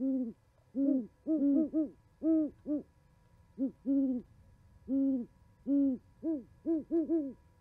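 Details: Owls hooting back and forth at a Charlo, Montana osprey nest camera on 11 January 2020; a long run of deep, evenly pitched hoots in uneven groups of two to four, with brief silent gaps.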